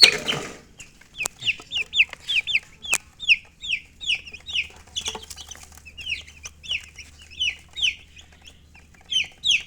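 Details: Colored chickens chirping: clear, high, falling peeps delivered in bursts about every second, separated by brief quieter gaps, after an opening rustle and two sharp taps.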